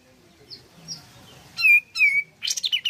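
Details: Pied fantail singing strongly, played to draw song from other pied fantails: a few faint high chips, then two loud falling squeaky notes and a burst of quick jumbled high notes.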